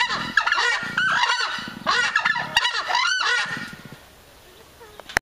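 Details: Captive-bred southern screamers in Belgium give loud, harsh honking calls in rapid bursts, several birds overlapping for about four seconds before fading out.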